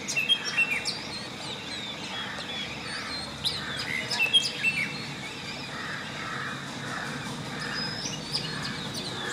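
A Long-tailed shrike sings a loose medley of squeaky chirps and sharp high notes in short bursts, with softer rounded notes toward the end over steady outdoor hiss.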